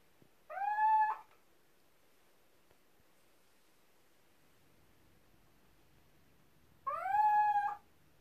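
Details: Captive little owls in an aviary, reacting to playback of an old recording of their own calls, give two drawn-out, mournful mewing calls, each under a second and about six seconds apart, with quiet between.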